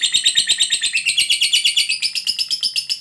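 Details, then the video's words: Lovebird in long ngekek chatter, a fighter bird used to make other lovebirds answer: rapid, rasping high notes about three per second, pitch slipping slightly lower midway, then rising again. "Suara Burung Lovebird Ngekek Panjang JAGO Memancing BUNYI, Hitungan Menit LB DIAM Langsung NYAUT"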